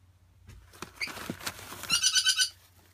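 Grey parrot chicks give soft rustling and scratchy sounds, then a quick run of four nasal, rasping pulses in about half a second.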